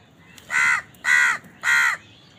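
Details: House crow cawing while eating: three loud, harsh, evenly spaced caws, each about a quarter second long, in quick succession.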